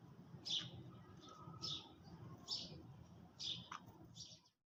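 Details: Early-morning sparrows chirp while eating: bright, sharp notes repeated roughly once a second, five in all, against a faint low rumble.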